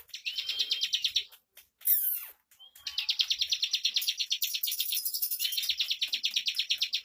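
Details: Bar-winged prinia (ciblek), a caged bird, pours out a fast, high, tightly packed run of sharp chirping notes, pausing briefly before resuming the rapid stream.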